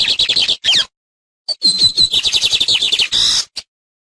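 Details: Lined seedeater (Sporophila lineola) tutor song for teaching young birds: rapid, high twittering phrases with buzzy, rattling trills, broken by short pauses; no other sounds.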